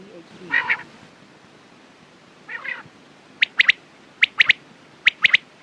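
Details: Quail: two rough nasal bursts, then four evenly spaced triplets of sharp, high clicking notes; a faint low voice-like sound at the start.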